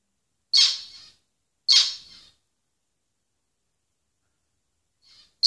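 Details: Two harsh, nasal zebra finch calls about a second apart, each fading with a brief tail, then a long silence and a faint call with the start of another at the end.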